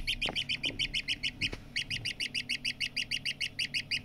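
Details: Partridge chick uttering fast, regular high peeps, roughly three per second, with a short pause midway marked by a low knock, then the steady series resumes.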